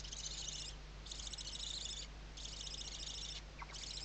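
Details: Western barn owl filmed by webcam in the 2023 season at Riet Vell Nature Reserve, Ebro Delta, Tarragona, Spain, in the morning: long rasping hisses, each lasting about a second, repeated four times over low electrical hum.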